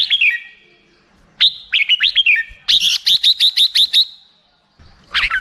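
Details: Black-crested bulbul giving clear, liquid whistled phrases, then a rapid series of about eight repeated bright notes before a final slurred call.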